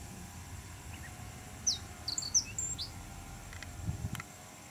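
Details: A male Japanese reed bunting in black-faced breeding plumage sings in blazing sun, Chiba, Japan, 2 July 2017: a brief phrase of high, sharp chirps and slurred notes lasting about a second, over a low background rumble.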